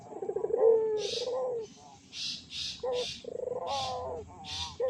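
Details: Barbary dove coos played as a lure to excite other doves: a trilled, drawn-out coo then shorter coo phrases, broken by several loud hissing bursts of noise.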